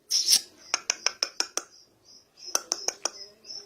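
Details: Black francolin held in the hand, calling indoors: a rapid run of sharp, dry clicking notes, about six evenly spaced ticks in under a second, then a short pause and a second run of five ticks, with a faint thin hiss between.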